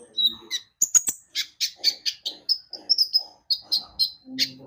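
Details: Javan white-eye singing energetically, played as a lure to make birds sing: an almost unbroken string of high, sharp chirps and short whistled notes, about three per second, with a few brisk clicks early on.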